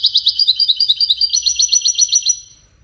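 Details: European goldfinch song in the Widani style, played to teach chicks to sing: a fast, bright string of high twittering notes in rapid even pulses, fading out at the end.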